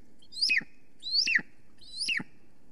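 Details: Calling female golden eagle at an Estonian nest, from a live camera at 9:53 am, 13 July 2020: three loud, clear yelps, each a high rising whistle breaking into a falling note, spaced about 0.8 seconds apart.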